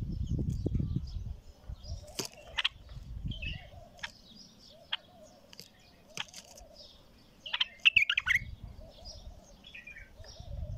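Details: Bulbul delivering scattered sharp chirps and brief warbled phrases, with a dense burst of bright notes about two-thirds through, over a constant low wavering tone and intermittent low rumbles.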